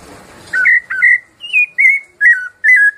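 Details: Rufous-bellied Thrush singing its "piedade Senhor" song type: six clear, fluty whistled phrases about half a second apart, some rising then falling, after a brief rustle of background noise.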